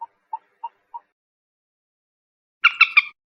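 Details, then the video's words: Four soft, evenly spaced kek notes from a common moorhen, followed after a pause by a loud, harsh three-part rasping burst. "SUARA BURUNG MANDAR/PELAN/MANDAR BATU/MOORHEN/GALLINULA CHLOROPUS"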